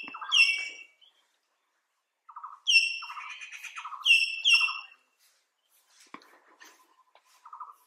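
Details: Common hill mynas at Nameri give loud, ringing, metallic whistles and harsh nasal notes in two bursts, then softer calls; no other sounds stand out.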